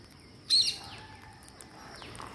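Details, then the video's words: Green parakeet at feeding time gives one loud, sharp squawk high in pitch, then fainter descending notes over steady background hiss. "Green Parakeet Feeding Day"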